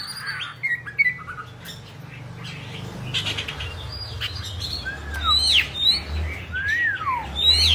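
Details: Oriental magpie-robin, a bạch bạng cage bird, singing and dancing with fanned tail; scattered clear whistles, some rising and others sliding steeply down, spaced by pauses against a noisy low rumble.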